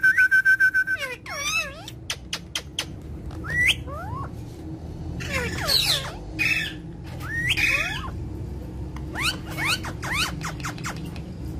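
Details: Indian ringneck parakeet calling in India: a steady whistled tone, then sharp rising and falling squawks and rapid clicky strokes in bursts, with loud harmonic shrieks around the middle, over a constant low hum.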